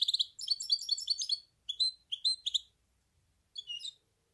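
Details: Goldfinch hybrid (mule) singing: bright, rapid twittering phrases of high chirps and tinkling notes, delivered in short bursts broken by brief pauses, with a final short twittered phrase after a gap; no other sounds.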